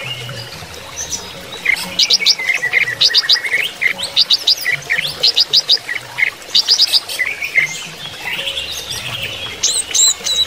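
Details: Song of a greater green leafbird (cucak ijo) during running-water therapy: repeated short phrases of quick, high trilled notes separated by brief pauses, ending in looser, scattered whistles.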